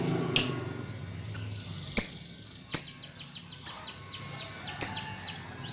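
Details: Young lovebirds in a colony, recorded as a lure for trilling: sharp, high clicks roughly every second, with quick runs of short, falling chirps between them.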